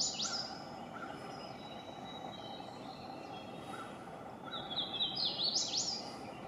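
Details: Hooded warbler song in Duke Forest, Durham, North Carolina, about 7:50 AM on 17 April 2021: a clear, whistled, slurred phrase ending in quick emphatic notes, softer high notes earlier, over a steady background hum.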